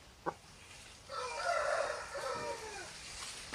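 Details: At a chicken farm with roosters and hens making noise, a single drawn-out rooster crow of about two seconds, harmonic and slightly falling at its close, set against steady farmyard background noise.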